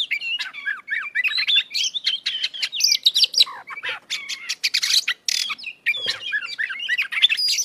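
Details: An Oriental magpie-robin (Copsychus saularis) sings in full voice, pouring out a rapid, varied stream of clear sweeping whistles, twitters and harsh buzzy bursts with almost no pause.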